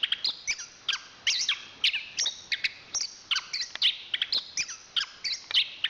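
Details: National champion anis kembang (chestnut-capped thrush) singing clusters of sharp, ringing chirps and short whistles, grouped in brisk bursts separated by brief gaps.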